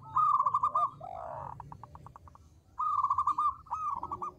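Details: Local zebra dove lure song: a fast rippling trill, then a lower swooping coo and a pulsed series of short notes, followed by a renewed bright trilled phrase.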